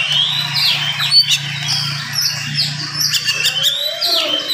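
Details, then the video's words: Morning singing by an oriental magpie-robin, fast and packed to provoke other magpie-robins. Scratchy downslurred whistles and buzzy notes repeat over a steady low electrical hum. "SUARA KACER GACOR DIPAGI HARI SPEED RAPAT cocok untuk naikin emosi kacer yang dengar"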